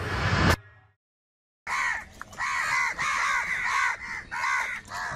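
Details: A huge number of crows, said to be fighting for food. After a short noisy burst and a silent gap, harsh, arched, nasal caws follow one another rapidly, several birds overlapping.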